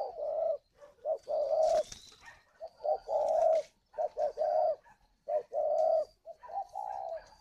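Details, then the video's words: Caged spotted dove at a bird farm in Ba Vì, Hanoi, northern Vietnam, cooing steadily: low hollow coo phrases repeated in quick bursts, with short pauses between groups. "Gáy gọi Hậu 1"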